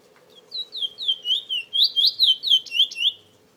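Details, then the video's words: Male chestnut-bellied seed finch (Trinidad bullfinch) kept as a cage bird, all-black after moulting in August 2017, sings a fast, sweet warble of slurred whistled "weet" notes, about four a second, over steady low hum. "Trini bullfinch"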